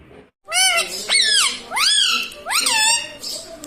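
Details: Pet talking parrot, said to say "Mummy" and "Mitthu", indoors; four loud, harsh, harmonic-rich syllables, each sliding up then down, given in quick succession after a short silence.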